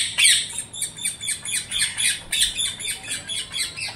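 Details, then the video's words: Parrot calling with a rapid series of harsh, squawking notes, about four per second, high-pitched and overlapping, with a faint echo in the background. "PARROT CALLING"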